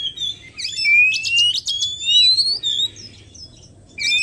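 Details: Lure sound for attracting wild Oriental magpie-robins: a long clear whistle gliding steadily upward, layered with quick high chips, then a quieter stretch and a fresh whistle at the end, with faint low background hum.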